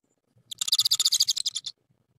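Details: Japanese tit at a nest during egg laying, evening, while a male bringing a larva seemingly courts the nesting female; a rapid burst of about twenty harsh buzzy notes run together over roughly one second.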